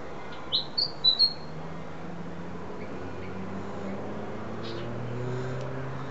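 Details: A nest-building willie wagtail gives four quick, high, sharp chirps in just under a second, then a low steady background hum.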